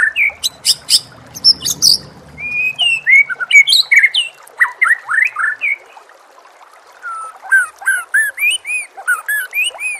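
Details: White-rumped shama song layered with nature sounds and gently trickling water: the bird opens with sharp, high clicking chips, then moves into fluent whistled phrases of slurred notes, followed by a quicker series of repeated upswept whistles.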